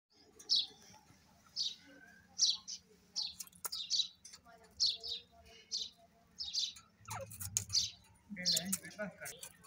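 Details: Female grey francolin calling with short, bright chirps repeated about once a second. The notes are high and slightly rising, and a low steady hum runs underneath.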